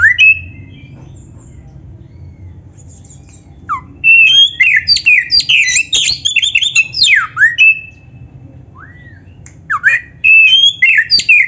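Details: Black-breasted Oriental magpie-robin in full song used to train other birds: scattered whistles, then bursts of jumbled high chirps and downslurred notes, a rising whistle, and a final run of rapid twitters.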